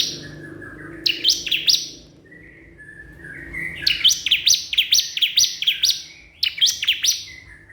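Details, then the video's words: Crystal prinia calling a rival, giving quick series of sharp high chirps in bursts, with thin lower whistled notes between them. "cikris/ciblek kristal gacor memanggil lawan"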